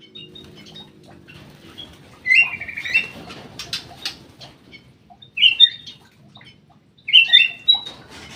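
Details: Black-crested bulbul singing in an aviary: three separated bursts of short, bright whistled notes mixed with a brief buzzy trill, spaced a couple of seconds apart, over faint background noise.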